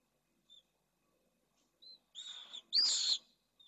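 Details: Pallid swift pair at a nest in Jerez de la Frontera, Spain, in 2022, at the first egg of their second clutch, gives a few short high chirps, then two harsh, buzzy, rasping half-second screams.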